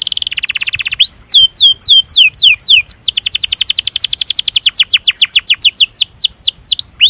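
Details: Canary master song with long roll, used to stimulate other canaries: a buzzy trill, then looping whistles and a long, fast series of high descending chirps.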